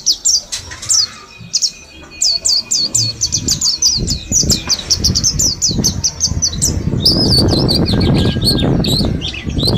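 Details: Several Slamet mountain white-eyes, kept in a group and in their tenth day of forest-sound training, give thin, high, rapid chirps and twittering phrases, overlapping throughout, with fluttering wings and low rumbling noise growing louder toward the end.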